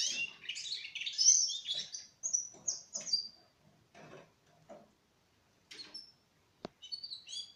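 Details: Russian canary, four months old, singing: bright high warbled phrases and trills in the first two seconds, then short clipped whistles and buzzy notes with brief pauses, ending in a few high chirps.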